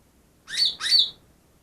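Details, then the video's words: Greater green leafbird, wild-caught two days earlier and credited with imitating ten birds; two quick, bright, rising-then-flat whistled notes in close succession. "burung cucak ijo yang bisa meniru 10 suara burung lain"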